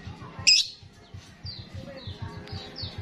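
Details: Starling in vigorous, chatty song, used as a lure to attract other starlings: a sudden harsh, buzzy burst, then a run of thin, high, descending whistles about every half second, over a steady low rhythmic thumping.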